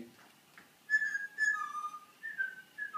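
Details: Pet Alexandrine parakeet, an 11-year-old male, calling indoors as vocal encouragement while the owner irons. It gives clear, pure whistled notes, some held flat and others sliding downward, in short phrases with brief pauses in a quiet room.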